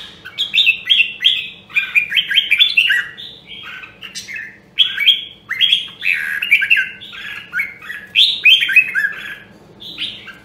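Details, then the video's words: Red-whiskered bulbul of the Nam Đông, Huế line, trained to sing fighting song; rapid chains of rich chirped and whistled notes, about three or four per second, in long phrases with brief breaks, low hum underneath. "Luyện giọng Chào Mào Nam Đông Huế Hàng Hiếm Còn Sót Lại ! giọng cực chất"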